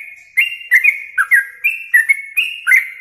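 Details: A yellow-vented bulbul sings loud, clear whistled phrases in a tutor recording meant for contest birds, with sustained level notes broken by downward-slurred accents roughly every half second, clean and uninterrupted.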